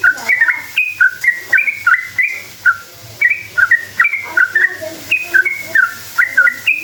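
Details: Whistled, bubbling phrases from a sooty-headed bulbul in its long rolling song, used to lure others into answering; notes come in quick groups, with a brief lull around three seconds.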